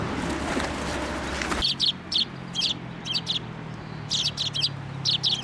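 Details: At a Tenmangu shrine on 25 April 2024, sparrows arrive to feed at a post. A loud rushing noise opens the recording, then bright clipped chirps follow in pairs and short runs, spaced irregularly over low traffic-like rumble.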